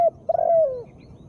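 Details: Female spotted dove calling, kept for prompting lazy birds into singing; a brief low coo note followed by a longer mellow coo that holds steady, then sags downward as it fades.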